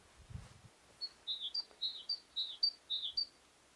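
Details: Yellowhammer (Emberiza citrinella) singing in trees: a quick run of short, high, slightly buzzy notes, about three a second, with a soft thump early and faint background noise.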